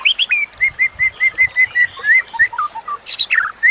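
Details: Training song of a white-rumped shama for teaching other shamas: a steady series of clear whistled notes repeated about every fifth of a second, then descending slurred whistles and a sharp high burst near the end.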